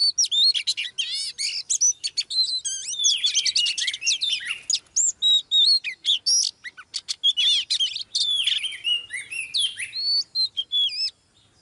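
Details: Oriental magpie-robin pair, a female prompting a male into heated, energetic singing. Continuous rich song of sweet whistles, rapid chattering trills and buzzy notes, high-pitched and varied, with brief pauses between bursts.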